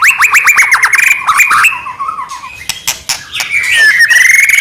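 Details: White-rumped shama song used to provoke other shamas: a quick volley of downslurred whistles, then softer chatter and clicks, ending with a drawn-out sliding whistle.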